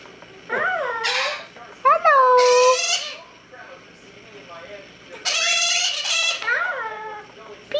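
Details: White-fronted amazon saying hello, a run of bending, harmonic speech-like syllables broken by two loud, raspy, broadband screechy bursts, followed by further swooping, wavering notes; indoor setting, no other sounds.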